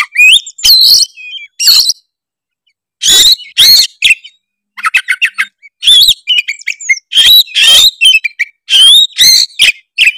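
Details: Oriental magpie-robin of the Tretes type, singing to stir rival birds: loud harsh bursts and whistled slurs in phrases separated by short silences, including a fast run of clipped ticking notes.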